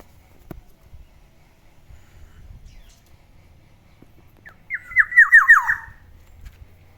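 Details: Black-naped oriole kept as a pet, heard in the morning: after near silence comes one brisk burst of about six repeated notes, each sliding downward, the run dropping overall in pitch. The background is otherwise calm.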